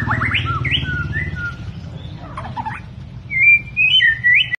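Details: Albino white-rumped shama from Medan, recorded 9 November 2020: jumbled warbling phrases with downward slurs, a brief quieter gap, then loud bright whistled trills, all over a low mechanical hum.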